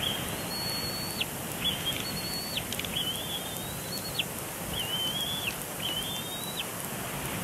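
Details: Bald eagle chick at Big Bear Lake, April 27, 2022, still complaining after its father moves to a branch off the nest; thin high whistles, flat then dipping, about one per second over steady hiss.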